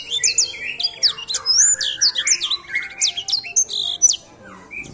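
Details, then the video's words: Edel sanger bird delivering a rapid, varied warble of high sliding whistles and chirps, some buzzy lower notes, fading out in the last second. "pássaro edel sanger!"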